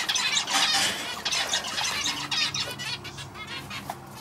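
A male zebra finch sings a fast run of harsh, nasal, buzzy notes mixed with brief squeaky tones.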